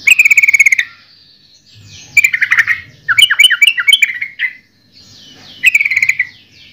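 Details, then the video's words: Yellow-vented bulbul song in three bursts: a rapid rattled series of bright notes, then a tumbling run of bubbly warbled notes, ending with another quick rattling phrase. "Suara Burung Trucukan"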